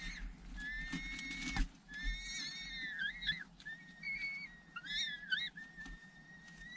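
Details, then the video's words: Adult falcon back at the nest after hunting, feeding its chicks; a series of thin whistled, wavering calls, some rising and falling, repeated over several seconds, with a few soft thumps and background rustle. "The adult falcon returns to the nest after hunting and feeds the chicks"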